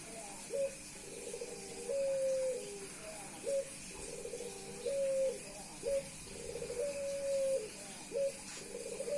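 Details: Male Puter Pelung dove meeting a female and cooing nonstop to show off. Each phrase opens with a rapid rolling burst, then a long steady ringing note. Three phrases come about every three seconds over a low indoor hum.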